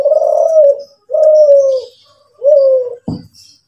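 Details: National champion Kelantan spotted dove singing the 'kuk 7' style: three drawn-out, low, slightly falling coos, ended by a dull knock.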